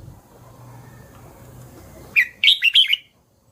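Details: After a quiet pause, a red-whiskered bulbul bursts into a fast, cheerful phrase of four or five clear, fluty notes.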